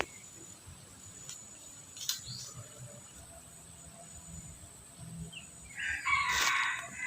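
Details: Red junglefowl being trained as a decoy, giving a crow likened to a bantam's: a short, rough, broad crow of about one second near the end, after a quiet stretch with faint clicks and chirps.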